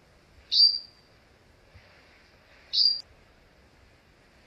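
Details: Grey-headed bulbul calling: a sharp, high, slightly downslurred note repeated about every two seconds, each note short and clean, with a quiet background.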